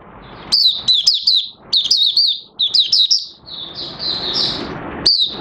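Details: Song of an Oriental white-eye near the end of its new white feather pigmentation, 30 August 2022; clusters of bright, piercing twitters falling in pitch, then a thinner drawn-out warble and one last sharp note.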